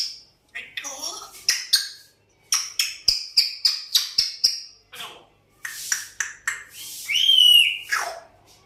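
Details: African grey parrot, described as always whistling and trying to talk, gives a rapid run of short high whistled notes and chirps, then a longer squawky rising-falling whistle near the end.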